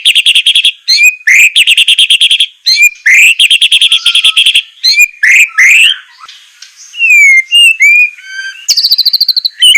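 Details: White-rumped shama song used as a training recording for captive birds, described as a mixed 'semelet' with sharp, rough bursts: rapid repeated high chirp trains interleaved with rising whistles and metallic trills, loud and continuous.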